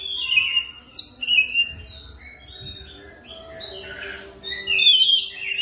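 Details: Oriental magpie-robin (kacer) training lure song, fast rolling style: clusters of high chirps and whistled phrases, a softer pause, then loud bright twittering notes returning at the end.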